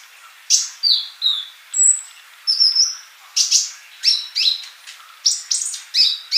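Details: Actively singing male sunbird, a tutor recording for young birds that are still silent; sharp high chirps repeated about twice a second, mixed with short whistled slurs and thin buzzy notes.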